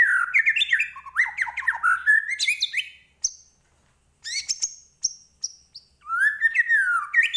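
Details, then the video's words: White-rumped shama from Medan, Indonesia, in varied song: fast jumbled warbling phrases, sharp high clicks and chips after a brief pause, then a rising and falling whistled run. "Murai Batu Medan Gacor Full Isian"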